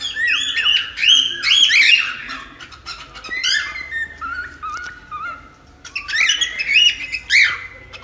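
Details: Cockatiel song meant to help tame a pet cockatiel, a busy run of whistled warbles and chirps stepping up and down, with a quieter stretch in the middle before louder bright notes return.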